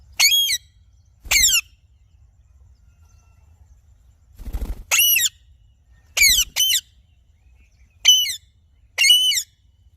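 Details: Alexandrine parakeet squawking repeatedly, loud harsh harmonic calls in single notes and quick pairs spaced a second or two apart, with soft thuds between some calls.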